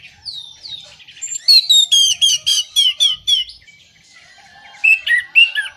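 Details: Orange-headed thrush song played as a lure to stir moulting, silent or out-of-condition birds: a high falling whistle, then a fast run of sharp repeated chirps, a pause, and a few rising twittered notes.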